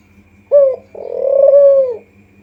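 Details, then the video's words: Spotted dove lure call: a short cooing note followed by a longer, drawn-out coo that swells and then falls away, sitting around mid pitch, with a faint steady hum underneath. "pancingan ampuh gacor burung kuter di jamin nyaut"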